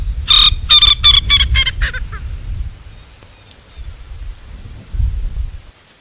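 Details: Male Coqui Francolin calling in the open in the late afternoon in September at Djuma Game Reserve, Sabi Sand, South Africa: about seven loud harsh ringing notes, slowing and dropping; others respond faintly 50–100 m away, wind interfering; a female nearby.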